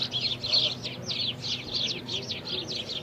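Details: House sparrows (Passer domesticus) in India chirp in a busy, overlapping chatter: bright, short cheeps repeated several times a second without pause, over a faint low hum.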